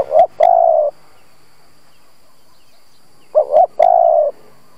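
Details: Spotted dove kept as a decoy to provoke other doves, giving two coo phrases of a short double note and a long drawn coo, with sharp clicks at the start of each phrase.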